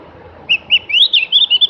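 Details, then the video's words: Javan grey-throated white-eye (cak gentong) singing a rapid series of clear whistles that rise and level off, about eight notes in just over a second, above soft background noise. "kicoan merdu burung Opior jawa atau cak gentong"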